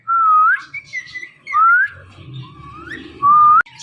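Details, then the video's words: Pet Indian ringneck parakeet whistling in the morning: three clear, short, slightly rising whistles at a steady middle pitch, with softer chatter and low room noise between them. "Ringneck Parrot Making Natural Sounds and Voices"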